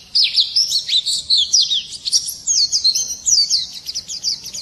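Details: White-eye in morning song, pouring out quick high-pitched twitters and short slurred whistles in a lively, almost unbroken warble.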